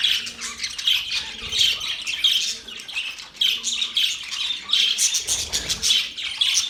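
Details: Budgerigars giving continuous warbled chirps and harsh squawks, bright and grating. A louder flurry comes near five seconds, and a faint low hum sits underneath.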